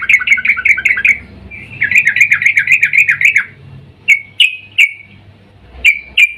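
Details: Female sooty-headed bulbul calling the male in breeding mood, as a lure: two runs of quick, rolling chatter, followed by several single sharp, clipped notes spaced irregularly.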